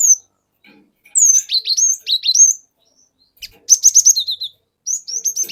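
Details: Cinereous tit from the forest, sung as a lure to provoke other birds: descending whistled phrases repeated several times, a pause, then a fast trill of bright high notes and further slurred whistles at the end.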